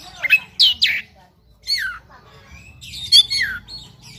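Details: Oriental magpie-robin (kacer) in fighting mood, giving harsh squawked notes and sweeping falling whistles in short separate bursts with quiet gaps between.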